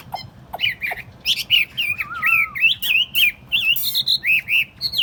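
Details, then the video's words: Chinese hwamei, a tame cage bird set on a table, delivers a rapid run of looping whistled notes with sharp clicks between them, rising and falling in quick succession. "Thuần tít xách tay đặt bàn, không tật lỗi. 夜莺之歌"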